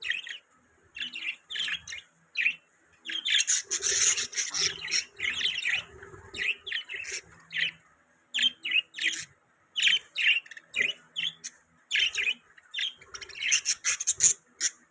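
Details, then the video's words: Budgies chirping almost continuously in rapid scratchy bursts, high squeaky notes and rasping chatter repeated in quick clusters with brief breaks throughout. "Budgies Chirping Sound | Budgie Beautiful Sounds | Budgie Beautiful Voice"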